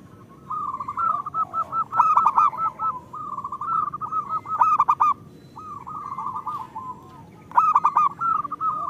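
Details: ['A local zebra dove sings long rolling strings of soft coos with louder bubbling peaks about every two and a half seconds; the song is used to get lazy doves singing.']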